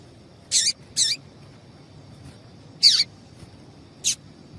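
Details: Female double-collared seedeater calling, used to excite males for singing contests: four short, sharp, high chirps with downward sweeps, spaced irregularly about a second apart over steady low background hiss.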